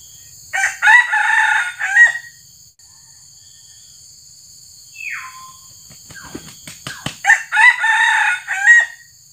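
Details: Red junglefowl decoy cockerel, judged about six months old and too young for luring, used in traditional junglefowl trapping in Sumatra. It crows twice, each a short, harsh, multi-note crow of about 1.5 seconds, with a whistle and clicks and knocks between.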